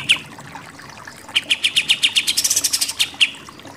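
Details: Pied triller singing in 'nembak' shooting style: after one opening chip and a quiet pause, a quick irregular series of loud, piercing, high notes accelerates into a dense chatter, then ends with a few spaced chips.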